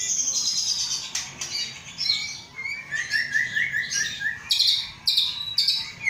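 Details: Caged white-rumped shama of Aceh stock, Indonesia, hatched 23 August 2012 and about to enter a breeding cage. It pours out high buzzy trills, then a run of quick repeated mid-pitched notes, then more scratchy high phrases.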